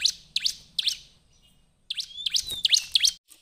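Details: Bar-winged prinia song played as a lure: bursts of sharp, high flicked chirps, a silent gap of about a second, then a denser run of chirps mixed with thin whistled slides.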